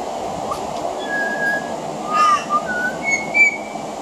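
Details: Pied butcherbird song from a veranda, with mimicry of other Australian birds: long, pure whistled notes at several pitches, broken by one rough, grating call midway, while a steady hum runs beneath.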